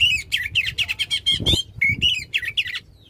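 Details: Loud, long-phrased song of a caged oriental magpie-robin, played to prompt a silent magpie-robin to sing: quick chattering notes and short whistled slurs in dense succession, with a brief low thump midway.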